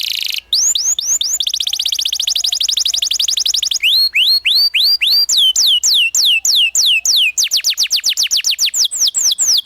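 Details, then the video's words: Master canary song, rolling ngerol style, for teaching young canaries the ngriwik sound: a long run of fast rising whistled notes in tours that shift speed and pitch, with sharp upward sweeps repeated several times per second. "PANCINGAN Kenari GACOR NGEROL Masteran Ampuh UNTUK KENARI PAUD BELAJAR BUNYI NGRIWIK"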